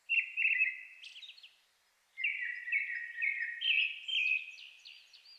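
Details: At dusk in May, a Brown-headed thrush sings in Shinetsu highland forest, Japan, alongside a louder Japanese thrush; two clear whistled phrases of repeated notes, the second longer and rising into thin high twitters.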